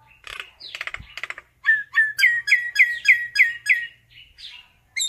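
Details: Common myna calling its flock: scratchy buzzy chatter, then a rapid regular series of about eight bright rising whistled notes, with a few softer notes after.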